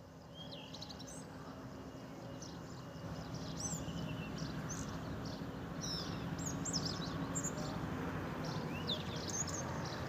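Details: European goldfinch singing in Diwaniyah Governorate, Iraq, on 15 May 2024, where it is not a well-known songbird; quick, thin high twittering notes and slurred chirps follow in rapid succession over steady low outdoor noise.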